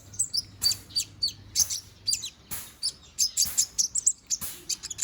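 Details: Song of a young konin bird in feather growth, used for training other birds: continuous 'gacor' delivery of thin, very high chirps and trills, about three per second, broken by scratchy broadband bursts.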